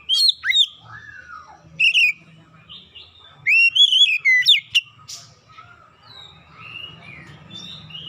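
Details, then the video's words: Lure song of an Oriental magpie-robin for prompting stubborn birds to sing: ringing whistled phrases with steep rising and falling slurs and sharp clipped notes in separate bursts, softer distant chirps trailing off over a low background hum. "kicauan pemikat Kacer bahan susah bunyi langsung gacor"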